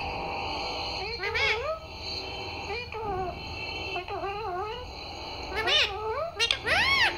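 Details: Mimicking parrot repeating "Mummy" and "Papa": arched, wavering voiced syllables in separate phrases about a second apart, with strong overtones and a final high upward-bending cry.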